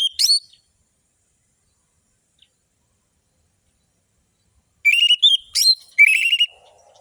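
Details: Orange-headed thrush singing a fast, sharp song, used to trigger a response from inactive birds. A brief whistle opens, then silence, then a dense run of ringing, slurred and trilled whistles ending in a buzzy falling note.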